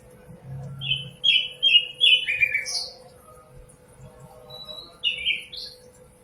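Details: Common nightingale song, locally called sikatan londo: a series of clear whistled and slurred notes, several in quick succession then a pause and a few more, over a faint low hum.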